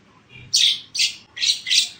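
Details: Four loud, harsh, rasping notes from a black-winged myna in energetic song, each about a quarter second long and evenly spaced.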